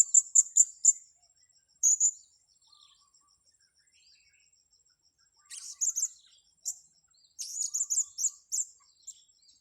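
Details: Blue-crowned hanging parrot on grass at a luring site: a quick run of four shrill high notes, a lone pair, a pause, then rapid bursts of squeaky, thin chirping.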